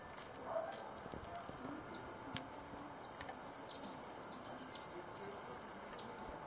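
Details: Black-tailed trainbearer in Colombia giving rapid, thin, very high chips and twittering notes in irregular bursts, loudest at the start and again midway, over faint background hiss.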